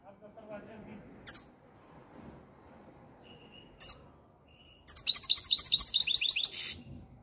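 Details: European goldfinch in top singing form, recorded in the Algeria–Morocco region: two sharp high notes, then a fast run of about twenty bright, ringing trilled notes lasting nearly two seconds, over faint low background hum.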